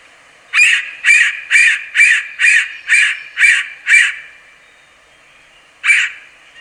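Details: Yellow-bellied sapsucker calling in a quick run of eight short, harsh nasal notes about two per second, then a pause and one final note, clear against quiet background.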